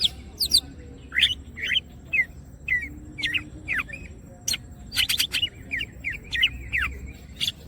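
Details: Active-singing greater green leafbird with open wings delivers separated whistled notes, many falling or hooked, roughly two per second, broken by sharp dry clicks and a short clustered burst near the middle.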